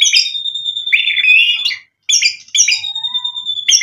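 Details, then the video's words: White-rumped shama singing to provoke a rival's response: harsh buzzy bursts mixed with a long, level, high whistle, a brief gap, then the same harsh notes and whistle again. "MURAI BATU GACOR memancing EMOSI bikin NYAUT ikut BUNYI"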